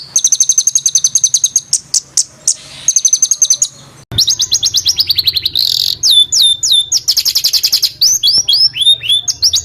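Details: Harsh, tight rolling songbird song used to tutor competition birds such as cucak ijo and cendet: a rapid, steady chattering trill, then a stream of quick downward-sweeping whistles.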